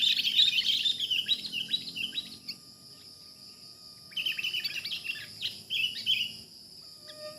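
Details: Wild sooty-headed bulbul while being trapped: an energetic chirping burst, a quiet lull, then a second bubbly flurry of short notes, with insects droning steadily.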